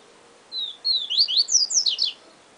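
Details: Clear 'siu siu professor' song from a yellow-bellied seedeater, two level whistles followed by quick rising and falling whistled slurs, background otherwise quiet.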